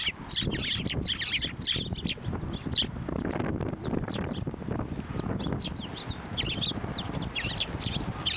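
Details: Flock of sparrows crowding onto a hand to be fed at a Tenmangu shrine, 18 March 2024: dense overlapping high chirps and short tweets throughout, with low rustling and handling noise underneath.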